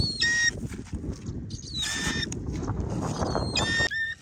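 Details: Hawk-eagle out on a bird-hunting training session: three loud, harsh, slightly rising whistled calls, each about half a second long, at the start, middle and end, over steady rustling and footstep noise.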